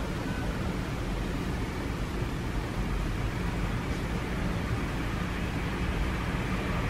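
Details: Constant low rumbling of engine or traffic noise dominates throughout, with no bird or other animal voice standing out.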